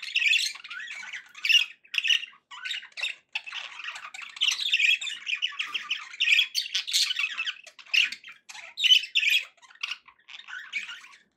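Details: Budgerigars kept indoors as pets singing a long, chattering warble of quick scratchy notes, clicks and occasional harsh squawks.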